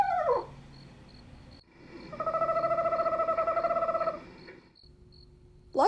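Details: A captive education Eastern Screech-Owl from eastern Nebraska gives its conversational whinny call: a soft, even-pitched, rapidly pulsed trill lasting about two seconds, with a brief falling note before and a short rising note after.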